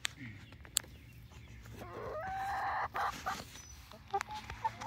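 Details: Young chickens, a 19-week-old flock of three Barred Rocks and four Gold Stars in Grimes County, Texas, near Iola: scattered clucks, then a loud, hoarse, drawn-out harmonic call of about a second, followed by sharper short notes and clicks.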